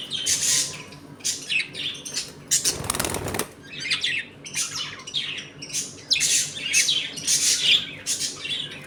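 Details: Budgerigars in a home colony at play; busy scratchy chirping bursts throughout, interrupted around the third second by a loud flurry of wing flapping.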